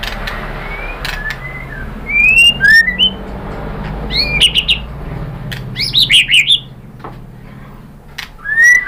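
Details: White-rumped shama singing as a lure to make other birds answer: bright slurred whistles and quick chirpy flourishes in bursts, then a long quiet gap before a final rising whistle.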